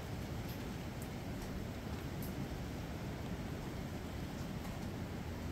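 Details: Dense hiss of rain and wind with a low rumble underneath and faint high ticks, and no animal voice heard.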